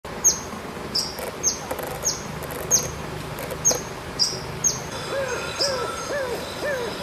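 Yellow-bellied fairy fantail giving thin, very high, sharply falling notes about twice a second, with a lower, softer hooting bird call in the last seconds.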